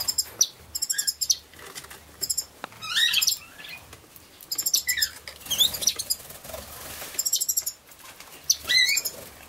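Scarlet-chested Parrots give quick bursts of thin, high chirps and twitters, coming in clusters every second or so, with soft wing flutters between.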